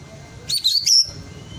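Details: Caged white-rumped shama, 12 months old and just out of juvenile speckling, sings a short bright phrase meant to stimulate other birds to sing: a single high, sweet whistled run of rising and falling notes lasting about half a second.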